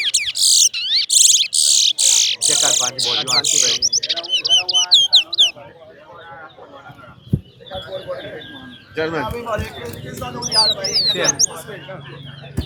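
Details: Towa towa birds singing in a competition: dense buzzy trills and looping whistles for about four seconds, then sparser whistled phrases while men talk and count loudly.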